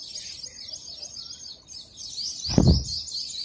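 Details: Sparrows chirp while eating food, in quick, high, thin runs that carry on almost without pause; a dull thump sounds partway through over a low background rumble.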